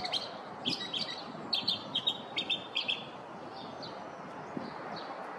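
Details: A male Northern mockingbird in a neighborhood sings in the morning, a series of short, high, doubled chips repeated about once a second, then fainter notes fading out.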